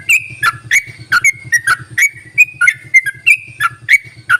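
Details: Trucuk, the yellow-vented bulbul, calling as a lure for lazy-singing bulbuls: short bright whistled notes, some held level and some dipping, given in a quick uneven sequence over a steady low pulsing hum.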